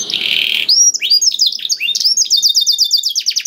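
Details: Canary in full 'gacor dor' song, meant to spur canaries that rarely sing. A steady buzzy note leads into twisting chirps, then a fast even rattle of short high notes.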